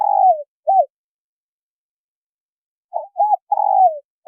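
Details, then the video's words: Cooing of male and female spotted doves meant to excite wild birds: a long wavering falling coo and a short note end one phrase, and after a pause a new phrase of two short coos and a long descending coo. "Tiếng chim cu gáy trống mái thổ kích bổi hay mới"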